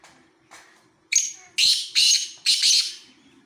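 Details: Black francolin calling: after a few faint notes, four loud, harsh, grating bursts follow in quick succession over about two seconds, each sharp and high-pitched, with a quiet background.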